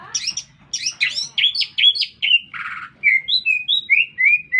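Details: Energetic lesser green leafbird song in town: buzzy high bursts, a rasping note, then clear rising and falling whistles repeated at a quick, uneven pace over a soft low hum.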